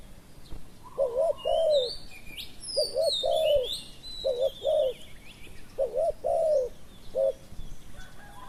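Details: Decoy-luring session with a spotted dove: soft hooting coo phrases, a clipped double note leading into a longer falling croo, about five phrases over eight seconds, with high chirping and whistles of other birds in the background.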